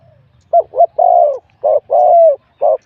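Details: Competing wild-caught spotted dove with a medium-to-large voice: quick clipped notes lead into long, mellow, down-sloping coos, then short notes resume, all clear against a quiet background.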